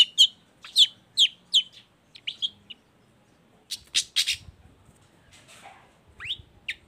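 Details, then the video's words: Long-tailed shrike song used as a lure to make other shrikes join in singing: a run of five sharp, high chirps spaced about half a second apart, then short clipped notes, a few louder harsh bursts and two quick rising whistles. "PANCINGAN CENDET BAHAM EFEKTIF BUNYI SANGAT COCOK BUAT CENDET LAINYA AGAR IKUTAN BUNYI"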